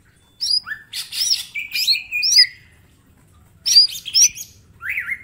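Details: Green leafbird master song for training, a small bird in full voice: a tumbling run of chirps and slurred whistles, a pause of about a second, then more sharp upswept notes.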